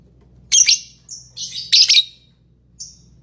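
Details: Lovebird chirping: two loud clusters of harsh, shrill, high chirps about a second apart, followed by softer short high notes and a faint final chirp.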